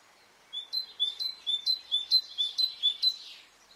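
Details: On a spring morning in Brittany a bird gives a clear run of about eleven high, sharp, evenly spaced notes, roughly two per second, rising slightly in loudness before stopping.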